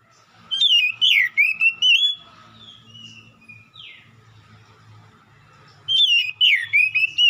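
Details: Oriental magpie-robin (kacer) used as a provocation song, pouring out rapid whistled, sliding phrases with scratchy high notes, then a pause with softer notes and a low background rumble, before another loud burst.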